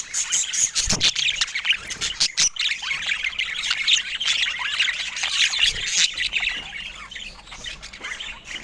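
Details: Budgerigar chatter: busy, scratchy warbling with sharp clicks and squawks, fairly continuous, a few louder sharp notes near the start, softening toward the end.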